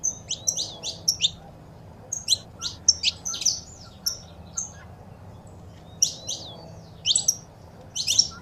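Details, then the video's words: Saffron finch song and female calls used to stimulate a pet bird: bright high chirps and short downward notes in quick clusters, with pauses between bursts. "Foguea seu Canário da Terra com Esse Piado de Fêmea e o Macho Cantando"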